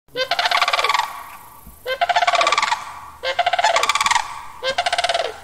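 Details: Sandhill crane (Grus canadensis), call.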